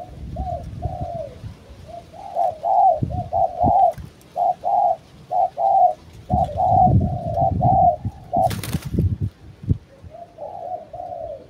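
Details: Decoy spotted dove cooing steadily: short mellow hooting notes in clustered bursts, about one a second with uneven gaps. A brief sharp knock sounds near the end. Faint low background rumble throughout.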